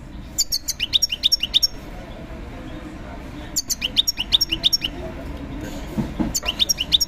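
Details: European goldfinch at a bird market, repeating short phrases of sharp, high, liquid chirps in quick series of about eight notes, separated by brief pauses; low background murmur.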